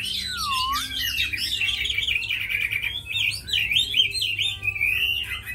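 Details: Captive tame Chinese hwamei, noted as a good fighter and strong songster, opening with a low slurred whistle then rushing into loud, tumbling, richly varied whistled phrases without pause, steady low hum in the background.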